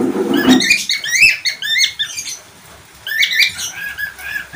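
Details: Budgerigar chirps in quick warbling runs, squeaky rising and falling notes, opening with a brief low thump or knock.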